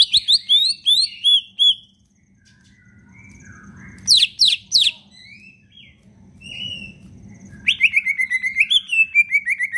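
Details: Hobbyist's caged leafbird in energetic full-repertoire song meant to stimulate reluctant leafbirds: bright looping whistles, then a pause, a cluster of sharp descending notes, and a closing run of quick chattering phrases, with low background hum.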